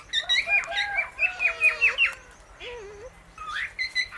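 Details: Indian ringneck parrot kept as a pet with an Alexandrine parrot, the pair eating guava seeds together; a run of quick, clipped, harmonic chirps about eight times in two seconds, then a wavering lower note and a few sharper chirps.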